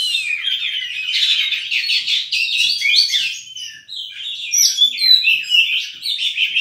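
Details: Singing oriental magpie-robin (kacer) showing off its mimicry: a fast, unbroken tumble of chirps, trills and swooping whistles, with jumbled rhythm and loudness that rises and dips.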